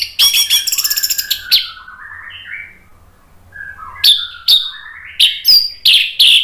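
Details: A captive orange-headed thrush sings loudly and variedly, with rapid rattling trills, sweet slurred whistles and sharp high notes in quick bursts, over a faint low hum.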